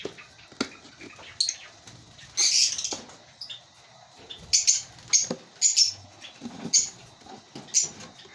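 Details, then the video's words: Breeding colony of African lovebirds giving one short burst of shrill chatter, then a run of about seven sharp, high squeaky chirps spaced irregularly under a second apart, with faint rustling between. "Lovebird Singing & Chirping Sounds"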